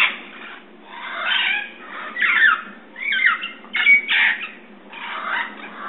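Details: Red-crowned parrots calling in San Diego, California, on March 15, 2011, at 6:34 PM: a noisy series of harsh, raspy squawks and screeches, several overlapping birds, bursts roughly every second.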